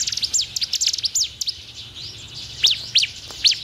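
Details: Stimulating song of the bar-winged prinia, used to prompt a bird to start singing fast: quick high chirps in a rapid series, then sharp, loud, steeply sweeping notes repeated about every half second.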